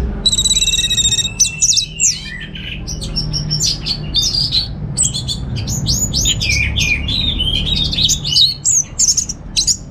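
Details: Caged orange-headed thrush kept at home in Singaraja, North Bali, singing as a lure and tutor for songbirds; a loud, fast, varied run of high whistled and trilled phrases, sliding notes and chips, with low room hum beneath.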